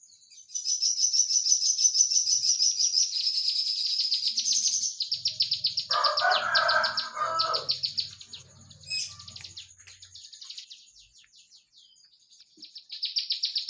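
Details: Olive-backed tailorbird delivering a 'nembak rapat' rapid-fire song: a long stream of quick high chips for about five seconds, then a lower rattling sound and quiet, and a short burst of high notes at the end.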